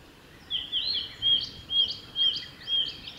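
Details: Singing male blue-and-white flycatcher on the Mizusawa forest road, Tanzawa, Japan, 28 May 2021, with high, pure whistles and short slurred notes repeated roughly every half second in an even, rolling series.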